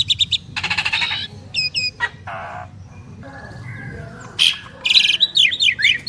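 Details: Asian pied starling, one of two prized birds singing in duet: harsh buzzy bursts, rattling noisy notes and sharp whistled slurs in uneven sequence, with a low background hum.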